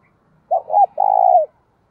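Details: Decoy spotted dove calling: a short note, a second brief note, then a longer steady low hoarse coo with a slight fall at the end, all mid-pitched and clear against silence.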